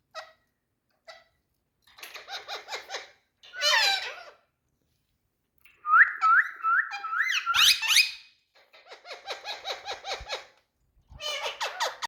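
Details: Male Indian talking parrots alternating buzzy, speech-like chatter bursts with a clear run of about five rising whistled notes repeated in quick succession, separated by short silences.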